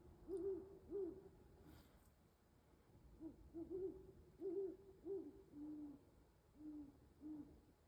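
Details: Owl hooting just before dawn beside an ice-covered pond in Carver, Massachusetts, winding down after a night of hunting; low, soft hoots in quick irregular series, some rising then falling, with pauses between bursts over a quiet background.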